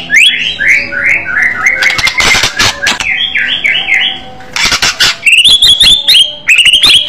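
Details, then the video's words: White-rumped shama with an aggressive fighting style and loud voice, delivering a descending sequence of repeated slurred whistles, harsh noisy bursts, and rising clear whistled phrases. "murai batu bergaya agresif burung fighter suara keras"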